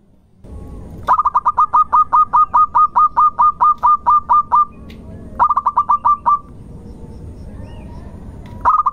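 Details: Zebra dove of a local strain singing a lure song: after faint background hum, a long sequence of about seventeen rapid bubbling coos, a pause, a shorter phrase of around eight notes, and a final phrase starting.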